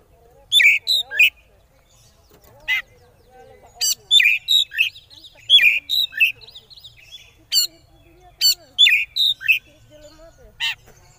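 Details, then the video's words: Oriental magpie-robin 'konslet' style lure song, used to provoke rival birds into singing: loud, sharp chirped notes and harsh broadband clicks in quick clustered bursts, with irregular pauses, over a quiet background. "Suara Pancingan Kacer Konslet Ngeplay Jamin Lawan Ikut Konslet"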